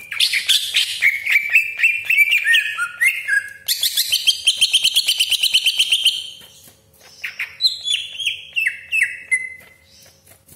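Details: Greater green leafbird delivering a long 'roll' of provocative song for contest or home birds; a stuttering whistled run gives way to a rapid rhythmic rasping trill, then softer descending chirps.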